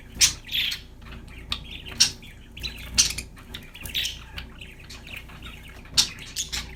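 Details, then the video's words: Happy budgerigar chirping, with sharp, high ticking notes and brief raspy chatter scattered irregularly across the stretch, against a faint low hum. "budgies chirping sound for lonely #birds TV. Happy #parakeet singing"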